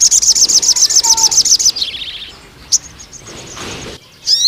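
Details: Sooty-headed bulbul used to tutor young males, opening with a fast, even series of high, shrill notes, then a lower sliding run, scattered chirps and a brief rushing noise.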